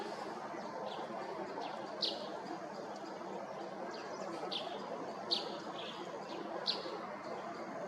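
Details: White-bellied Drongo on a perch at Ghana Bird Sanctuary, Bharatpur National Park, Rajasthan, India, in February, giving short, sharp, high chirps every second or two over a steady rushing background noise.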